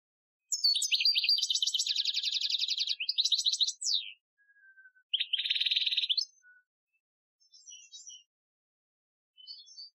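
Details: Algerian-style training song of a European goldfinch, 2015: a long fast buzzy trill of rapidly repeated high notes, a break, then another short trill and scattered faint twitters.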